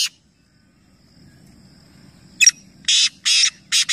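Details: Calling competition of three black francolins at Nawabshah, Pakistan; after a quiet stretch comes a click followed by a rasping phrase of three coarse, buzzy bursts, roughly two to three per second.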